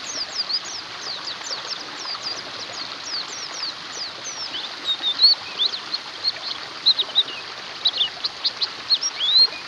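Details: Oriental white-eye chorus, meant as therapy for a bird that has gone quiet: many overlapping high, thin downslurred chirps, then sharper bright twittered notes bursting out in the second half.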